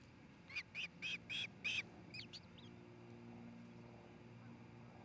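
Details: Nesting osprey pair in Charlo, Montana, recorded by a nest camera on 27 June 2018: five sharp, high cheeping notes in an even quick series about every quarter second, then a few softer chirps, with faint background hum.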